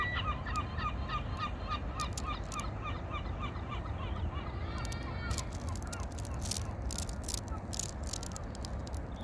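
A water bird gives a fast run of short, nasal, honking notes, about three a second, before splashing and clattering take over over a low rumble.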